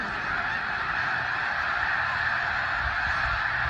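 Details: Snow geese gathered on spring migration at George Reifel Bird Sanctuary, Delta, British Columbia, March 2015: a distant-sounding, blended roar of countless honking birds, with few single calls distinct.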